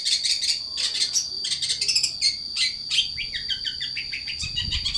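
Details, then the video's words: Long-tailed shrike in lively, vigorous song, a rapid run of varied high chirps and scratchy notes, then a series of quick descending slurred notes, with a steady high whine throughout and a low thump at the end. "Cendet pastol gacor"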